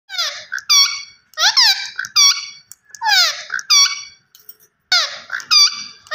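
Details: A green Indian ringneck (rose-ringed) parakeet talks in three quick bursts of high, nasal, word-like syllables, with short pauses between phrases; nothing else is heard.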